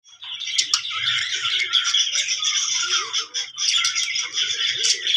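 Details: Pet budgerigar making happy sounds: dense continuous chattering warble of squeaks, clicks and chirps with no breaks.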